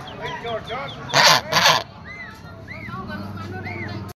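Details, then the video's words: Domestic white geese give two loud, harsh honks in quick succession, followed by several softer nasal calls that rise and fall, over a low background hum. "suara angsa putih"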